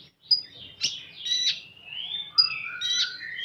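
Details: Common iora singing in 'full tembakan' style: a few sharp high notes and harsh bursts joined by long, smooth, slurred whistles gliding down and up in pitch.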